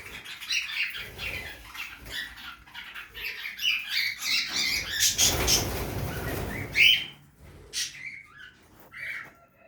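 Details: Budgerigars feeding in a backyard aviary: dense, scratchy warbling chatter with rapid chirps, plus a burst of broadband rustling or wing noise midway and a sharp squeak near the end.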